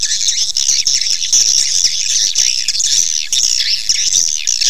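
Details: Swiftlet call used as a lure to draw swiftlets to nest: dense, continuous high twittering chatter of many overlapping shrill chirps, steady and unbroken throughout.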